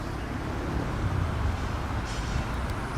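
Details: Continuous low rumble of road traffic and vehicles outdoors in an urban setting, with no animal voices present.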